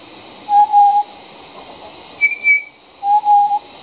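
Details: Young pied butcherbird singing just outside a house: two matching low, clear whistled notes about two and a half seconds apart, with a brief higher whistle between them over faint steady background noise.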